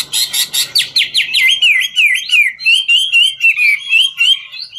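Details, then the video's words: Chinese hwamei singing in 'ngũ trường' style while dancing: fast harsh buzzy notes give way to a rolling series of clear whistled, wavering notes, several per second, steady and loud. "Họa mi ngũ trường hót múa cực chất"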